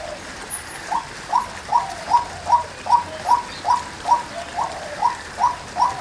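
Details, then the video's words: Female white-breasted waterhen giving a regular series of about fifteen short, rising, mid-pitched notes, evenly spaced and slightly louder toward the middle, over quiet background. "Cuốc Mái. Chim Cuốc Mái Kêu | Tiếng Chim Quốc Mái"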